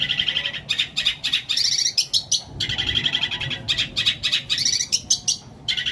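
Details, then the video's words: Long-tailed shrike singing its long 'isian greja petir kuntilanak' fill: fast strings of bright, chattering chirps and trills, tightly packed and high-pitched, broken by brief gaps, over low background hum. "CENDET ISIAN GREJA PETIR KUNTILANAK"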